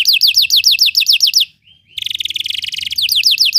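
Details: Belgian canary singing, used to train other canaries to sing: fast trills of descending high notes, about four per second, then a brief pause and a buzzy, rapid rattling phrase, ending in repeated downslurred notes.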